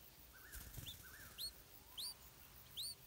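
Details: Stripe-throated bulbul chick begging as its mother brings insects to feed it: sharp, high, rising squeaks in quick bursts, with wing flaps and a few lower slurred notes.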